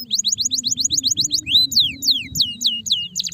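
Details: Stressed canary singing: a fast series of sharp, high downslurred whistled notes, about ten in the first second, then longer sweeping falling whistles repeated in quick succession over a low steady hum.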